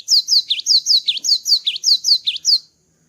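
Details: Gelatik batu, the cinereous tit, in full song after its moult: roughly ten clear whistled double notes, a high slide then a lower V-shaped dip, repeated nearly twice a second before stopping abruptly.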